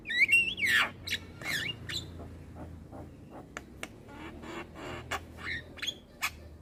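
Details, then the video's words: Young black-winged myna chattering without pause while bobbing its head, opening with a loud slurred whistle and squawk, then a scatter of sharp clicks, rasps and brief whistles; a low hum runs underneath. "Ocehan Jalak Kebo Muda Suara Asli Jalak Kebo Manggut Manggut Ngoceh Tanpa Henti"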